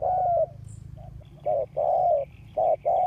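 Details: Caged spotted dove kept as a ground decoy to lure wild doves, August 2021: a low mellow hoot, a short coo, then paired coos, a brief one followed by a long drawn, slightly falling note, with faint chirps above.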